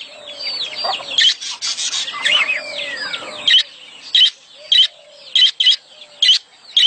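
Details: Budgerigar mating sounds meant to stimulate a female to lay eggs: a few seconds of soft warbling chatter with curved whistles, then sharp, bright chirps repeated about once every half second.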